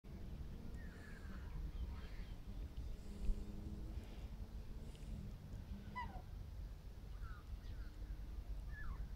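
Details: Mature black swans give their evening greeting call to each other: soft, falling bugled notes at intervals of a second or two over a steady low rumble of background noise.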